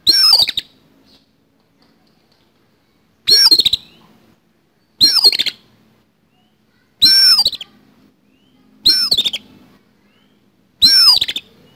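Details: Oriental magpie-robin (kacer) giving a harsh fighting-style song with coarse fill-in, used as a training recording for kept birds: six short rasping bursts with a looping high whistle on top, separated by about two seconds of quiet.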